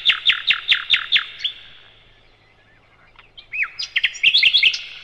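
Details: Sikatan londo flycatcher song used as a tutor for caged birds: about seven loud, evenly spaced downslurred notes, a quiet gap, then a lively jumble of quick whistled and twittering notes.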